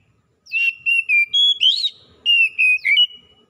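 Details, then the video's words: Oriental magpie-robin, with wild and domestic birds answering each other, gives clear level whistles and brief rising and falling slurs in quick phrases, with faint background rustling. "KACER ALAM LIAR DAN KACER RUMAHAN SEKALI DENGAR LANGSUNG NYAUT BUNYI GACOR"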